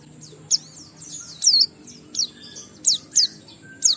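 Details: Oriental white-eye heard in a ngalas song with riwikan fill meant to set other white-eyes singing: sparse, single high, sharp slurred notes spaced irregularly, roughly every half second, over a faint steady hum.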